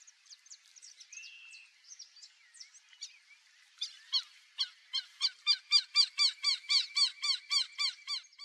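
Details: Pantanal black-bellied whistling duck, wild: soft scattered chirps and a drawn-out whistle first, then a loud regular series of down-slurred squeaky whistles at about four per second.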